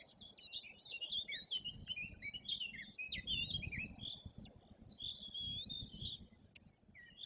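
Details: White-tailed eagle chicks nearly three weeks old at a nest in Tuchola Forest, Poland, tended by their parents, pipe thin, high whistles, many overlapping, some sliding up or down, over a steady low rumble of wind.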